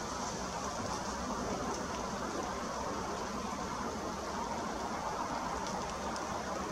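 Steady, dense hiss like rain or passing traffic fills the whole recording, with no distinct animal call standing out.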